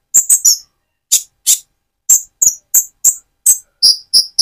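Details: A spotted young Van Hasselt's sunbird used as a lure gives a loose series of sharp, very high chips, roughly three per second, some with a brief whistled tail.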